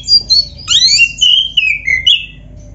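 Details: Oriental magpie-robin, black-breasted form, singing loudly in full song rich with borrowed phrases, played to prompt other magpie-robins to sing: high sweeping whistles, then a cascade of bright slurred notes falling in pitch, ending with a rising flourish.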